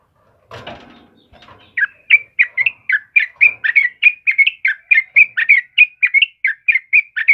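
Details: Yellow-vented bulbul song used to lure and tutor birds: a rustling noise, then steady chirpy bubbling notes repeated rapidly and evenly for over five seconds.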